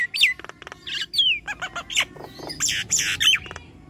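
A Nias hill myna gives a busy run of loud, varied notes: sharp whistles sliding downward, clicks and harsh, raspy bursts, all high-pitched and close together.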